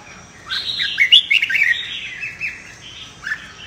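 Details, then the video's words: Red-whiskered bulbul singing its competitive fighting song, meant to stimulate newly caught birds. A lively chattering phrase of clear whistles and rapid chirps peaks early, then trails into softer notes and one final slurred call. "Chào Mào Hót Đấu - Luyện Chào Mào Đấu Lên Lửa - Kích Bổi Sổ Bọng Hót Đấu,suara burung merbah jambul"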